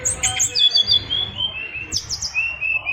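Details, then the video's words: Caged Oriental magpie-robin of a Bali strain, kept as a fighter songbird, singing a song packed with varied fill-in phrases: clear high whistles, sliding notes and quick chirps running continuously, over a low background hum. "SRDC Fighter isian luber"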